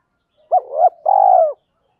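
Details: Spotted dove calling in the thúc and gáy gọi styles, used to excite and train newly caught wild doves. A clipped hooked note rises into a second note, then a drawn-out, trembling coo holds steady before dropping away. No other sounds.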